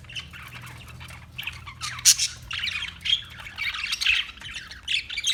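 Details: Parakeet chirps and sharp squawks, building from soft scratchy notes to louder, harsh high calls, over a steady low hum.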